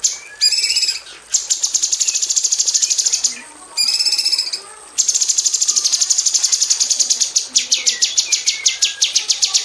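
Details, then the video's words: Aviary-kept female cucak cungkok bulbul, used as a song tutor for magpie robins, delivering tight 'tembakan' bursts: long runs of rapid, metallic, high-pitched repeated notes, two short breaks, ending in quicker descending strokes. "KICAU SUARA BURUNG CUCAK CUNGKOK BETINA TEMBAKAN RAPAT"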